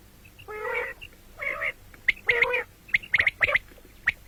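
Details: Common quail calls: two rasping nasal notes lead into rapid clusters of sharp, bright clipped notes, several short bursts in quick succession over a quiet hum.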